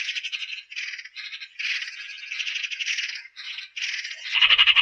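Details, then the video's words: Eurasian magpie giving a harsh, dry rattling chatter: rapid grating pulses in short bursts separated by brief gaps, continuing for about five seconds and ending in a louder burst with a faint low thump. "RECLAMO de la URRACA"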